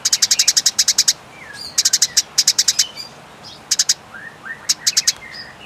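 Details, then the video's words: Clear tutor recording of a fighting Eurasian tree sparrow: short volleys of rapid, high chirps, four to ten notes each, alternating with soft sliding whistled notes. "Masteran Gereja Tarung Nyeret Panjang Jernih"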